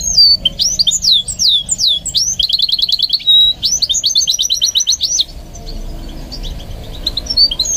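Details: Singing goldfinch mule in training: sharp downward-slurred whistles, then long bursts of rapid metallic trilling, pausing before a few quiet chirps near the end.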